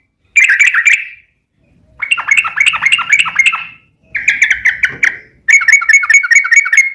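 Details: Yellow-vented bulbul singing long rapid-fire 'ropel panjang' song, intended to make other bulbuls respond: four chattering bursts of fast warbling notes, the last an even, repeated trill-like series.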